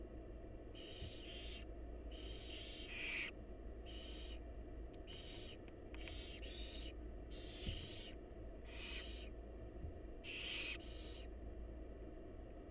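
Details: Nest-box barn owl young, wild birds, hiss for food from their feeding mother. Around a dozen breathy, snore-like bursts come in quick pairs and singles throughout, backed by a low droning hum.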